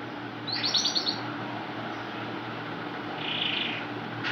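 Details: Male yellow Iranian canary, brought indoors from Karachi summer heat, singing in response to a dark brown female's calls: brief burst of high, rapid twittering trills, then a softer buzzy high phrase, over a steady low indoor hum.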